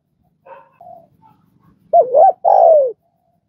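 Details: Spotted dove, recorded to coax newly caught doves into calling: faint soft notes, then a loud wavering double coo and a long mellow coo sliding downward.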